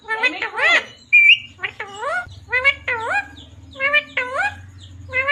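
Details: Rose-ringed parakeet kept as a talking pet, said to say mummy papa, utters a quick string of nasal, harmonic syllables with upward sweeps, plus one brief high whistle near the start and a low hum underneath.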